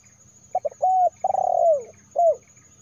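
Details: Spotted dove voice intended to lure wild doves: short double notes, a sustained even coo, a rolling coo accelerating and sinking, then one final bowed coo; low background hum.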